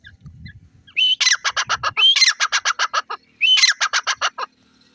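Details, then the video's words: A francolin (teetar) gives loud, harsh calls: a rising squeal followed by a rapid run of grating notes, repeated three times over five seconds. "Teetar Voice,Teeter Birds ki awaaz"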